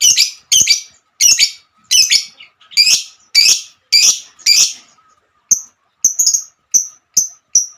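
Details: Lovebird hen singing 'ngekek'. Eight loud, rasping squawks come roughly once a second, then give way to thinner, sharp high chirps spaced at irregular intervals.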